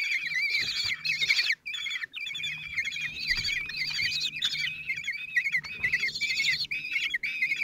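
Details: During a feeding by the single male on 26 June 2023 in Théding, four 16-day-old common kestrel chicks give shrill, wavering squeals in overlapping bursts, repeated with few breaks, plus faint scuffling.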